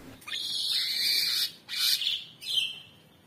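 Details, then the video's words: Cucak cungkok (Orange-bellied Leafbird), a cage bird recorded for master training song: a long buzzy, wavering high phrase followed by two shorter burry notes, somewhat quieter than surrounding passages. "Tembakan Cucak Cungkok super gacor ❗ Masteran Terbaik"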